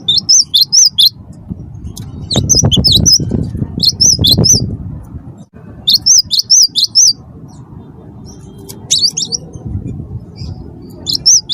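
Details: Chattering cinereous tit (wingko) song meant to coax other birds to sing. Short runs of sharp, high, rising whistles recur across the recording, broken by pauses and low rumbling background noise.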